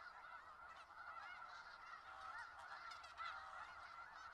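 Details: Snow geese in Skagit Valley, a dense flock giving continuous overlapping nasal honks and yelps, a steady chorus with no pauses and occasional louder calls standing out.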